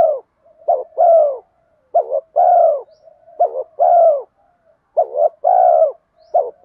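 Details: Spotted dove in 'giọng đồng' voice, cooing in the style used to lure wild spotted doves. About five low two-part coos, a short wavering note then a longer steady one, roughly every second and a half, with quiet murmurs between.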